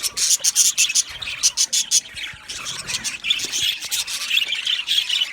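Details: Budgerigar colony in an aviary: a run of evenly spaced short chirps, about five per second, at the start, then a dense warbling chatter of many birds.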